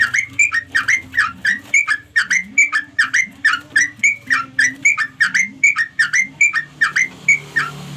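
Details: A steady stream of clear, slurred whistles, each dipping downward, comes about three per second from a sooty-headed bulbul calling to its companions. A low murmuring hum sits underneath.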